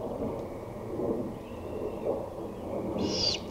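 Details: Great horned owl recorded on 23 May 2018 at 5:53 pm, giving one harsh, hissing screech near the end over a steady low rumble of background noise, with faint deeper pulses earlier.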